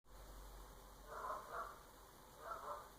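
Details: Geese honking at 7am, three soft nasal honks at about 1.2, 1.6 and 2.6 seconds, faint against a steady low hum and a constant electrical whine.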